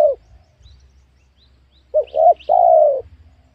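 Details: Spotted dove calling in the wild at a young oil palm plot being worked: one trailing coo, a silence, then two short hoots running into a long level mellow coo.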